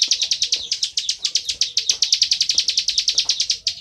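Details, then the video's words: Singing plain prinia, delivered loudly in 'ngebren' style as a rapid series of sharp, buzzy high notes in quick succession, with faint low background sounds. "Ciblek Sawah Gacor full ngebren"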